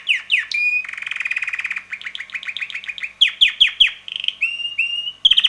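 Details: Pet red canary, a male around six months old, in full song: sharp chips, a grating buzzy roll, a run of quick repeated notes, then clean whistles and sharp clicks.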